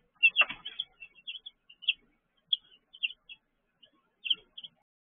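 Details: Young chicks in their brooder, 6 pm on 19 June 2023: a brief rustling burst, then scattered single high peeps spaced irregularly across a few seconds.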